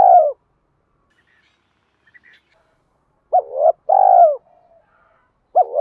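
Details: Spotted dove used as a lure bird, its cooing meant to provoke rival doves: short low coos and a longer drawn-out purring coo in a brief phrase, separated by silence.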